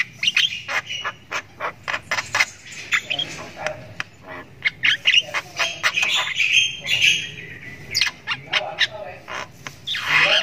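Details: Javan myna chick in extended ngriwik, practising its voice: busy stream of sharp clicks, harsh buzzy squawks and brief whistled slurs, fairly loud and continuous throughout.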